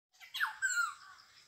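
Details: Black-hooded oriole, known locally as the yellow bird, a species said to call in three tunes, the first thought harsh: one rasping, downward-sweeping squawk followed by a short, level, nasal tone, with no other sounds.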